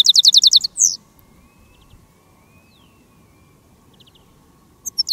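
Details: A decoy European goldfinch calling in the countryside gives a quick burst of high, tinkling chirps and a short buzzy note, then after a quiet pause the bright twittering starts again.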